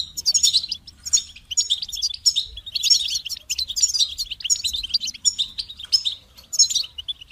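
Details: Goldfinch performing its cheerful song: continuous stream of high, tinkling twitters and buzzy trills, phrases surging every second or so with barely any pause.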